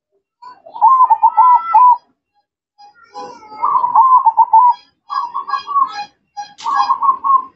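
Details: Zebra dove singing energetically, four loud rolling coo phrases separated by short pauses, each a quick train of bubbling pulses at a steady pitch.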